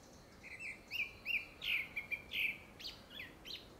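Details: Grey-backed thrush singing a quick run of short, fluty whistled phrases, each slightly different and mid-high in pitch, over faint background hiss; likely a courtship song for a second breeding attempt, given the season.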